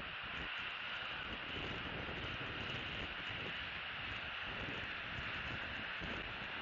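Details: Continuous hissing rush of wind and distant engine-like rumble throughout, with no animal voices audible.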